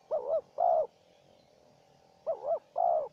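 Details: Spotted dove, a wild bird answering a decoy bird during trapping: paired coos around 600–800, a wavering double note followed by a longer steady coo, two phrases about two seconds apart in a quiet setting.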